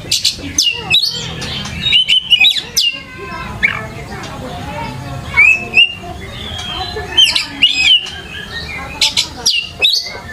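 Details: Oriental magpie-robin song played as a lure: dense, rapid, varied phrases of sharp clicks, whistled slides and scratchy notes in short bursts, with brief gaps.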